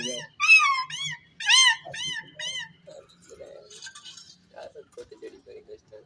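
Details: Indian ringneck parrot kept in a cage, talking: a burst of loud, harmonic, arching syllables in quick succession, then softer low murmuring sounds fading out.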